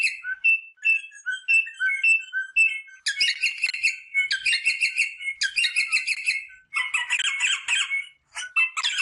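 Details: Rosella sounds intended to stimulate mating, opening with soft paired whistles, low then high, repeated several times, followed by loud stretches of buzzy chattering squawks.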